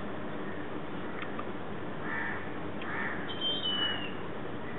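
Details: Indian grey hornbill, a resident on a campus in Colaba, Mumbai, gives three harsh, squealing calls about a second apart over a low rumble of city noise and a thin high whistle.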